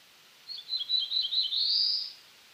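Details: Song of a black-throated blue warbler, Setophaga caerulescens, eastern North America: a series of lazy buzzy notes that swells into a longer, upward-sliding final buzz, over quiet background.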